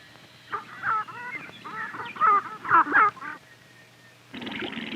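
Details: Sharp-tailed Grouse display at a lek, males guarding territories in a dance that replaces fighting and attracts females, with quick clucking, cooing and whining notes over about three seconds, then rustling as one bird is startled into flight.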